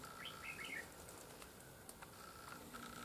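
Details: Red-whiskered bulbul at a fighting-trap gives one quick, bubbly phrase of bright warbled notes, followed by a thin steady whine over soft background hiss; a newly arrived wild bird quickly approached the decoy.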